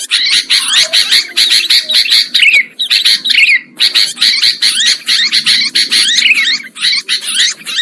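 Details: Sooty-headed bulbul lure sound for trapping: continuous harsh, buzzy chattering in quick pulses, broken by twisting whistled slurs and two short silences, the calls overlapping as if from several birds.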